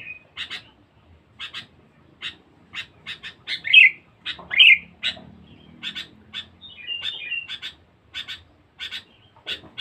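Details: Sooty-headed bulbul, a fierce, very vocal lure bird, repeats short dry chattering notes roughly every second, broken by two loud bubbly whistled phrases midway and a brief warble later.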